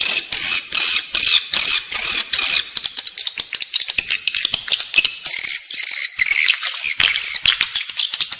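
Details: Calls of edible-nest swiftlets, meant to be played indoors to lure swiftlets into a building: bursts of shrill buzzing chatter alternate with quick runs of dry clicks, repeating about twice a second.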